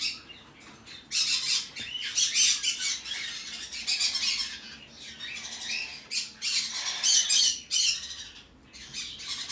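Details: A hand-tame chick, a red-cheeked pineapple conure (green-cheeked conure), gives harsh, raspy squawks in rapid bursts, several a second, with brief pauses between runs in an otherwise quiet room; recorded 11 November 2019.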